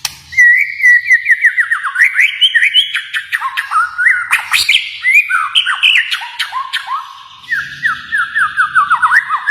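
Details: Loud, continuous song of a Kalimantan white-rumped shama: a long series of descending whistled notes, then harsh chips and fast varied phrases, ending in steady repeated falling whistles.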